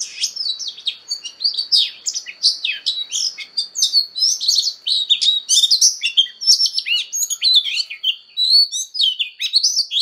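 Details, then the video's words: Oriental magpie-robin singing a fighting song while training its voice, pouring out loud varied phrases of whistles, trills and sharp upslurred notes, nearly nonstop over a thin steady high tone. "Choè than hót đấu/Choè than hót luyện giọng căng lửa/Choè than hót"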